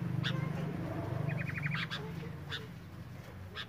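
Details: Male and female sooty-headed bulbuls in breeding condition, giving the mating 'nyrecet' call: a quick, even series of about ten sharp ticking notes in mid-pitch, with scattered clicks and a steady low hum underneath.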